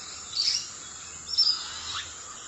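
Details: Musk lorikeet feeding on eucalyptus flowers gives two brief, shrill, high-pitched screeches about a second apart, against a steady background hiss.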